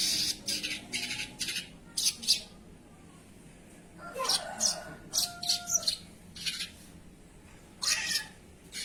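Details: Sogon singing actively (gacor): bursts of high, scratchy chirps, a louder tangled phrase with lower whistles partway through, then more spaced chirps.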